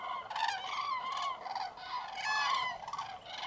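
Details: Hundreds of common cranes at a massive roost wake at a freezing, foggy mid-January dawn in Tablas de Daimiel National Park, Spain. Loud, rolling trumpet calls from several birds overlap in half-second bursts over steady hiss.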